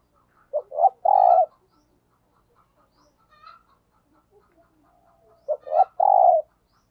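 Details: Spotted dove kept as a decoy (lure) bird, giving the 'thúc gù' coo style: two short low notes followed by a longer throaty coo, the phrase given twice about five seconds apart, with faint soft notes between in a quiet background.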